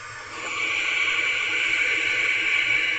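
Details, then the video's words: Wild owlets inside a nest box at night, 10:33 pm, hissing after a parent arrives with a rodent; one long continuous breathy hiss, strongest in the upper range, steady throughout. "Hissing Sounds Again. Is it the Owlets?"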